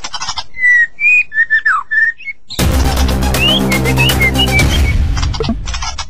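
White-rumped shama singing quick, varied, clear whistled phrases, some rising and some falling. Midway a loud low droning rumble swamps the song, though whistles still show through.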